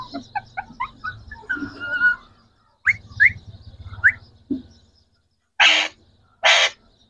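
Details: Green talking parrots from Pakistan, three in all: soft chirps and a sustained whistle, several upslurred squeals, then two harsh raspy screeches near the end.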